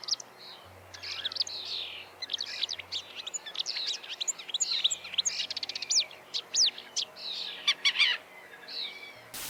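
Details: Reed Warbler in Ukraine, in thick reeds near a quiet reservoir: a fast, chattering song of many quickly changing notes, churring phrases mixed with sharp high clicks, without pause, over a faint low hum.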